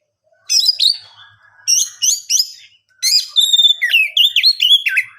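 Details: Oriental magpie-robin in energetic gacor singing, meant to provoke other birds into answering: bursts of varied whistled and chattering phrases, sliding notes, ending in a run of rapid looping whistles.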